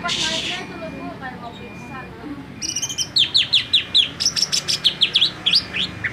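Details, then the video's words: Greater green leafbird, made agitated and fired up by this song: a fast series of sharp, descending whistled notes, about two to three per second, after a brief quieter stretch with faint chirps. "AMPUH !!! dijamin cucak ijo langsung ngamuk"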